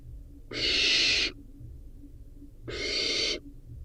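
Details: Barn owl nestling consuming a rodent gives two loud, breathy hissing screeches, each near a second, separated by a quiet pause.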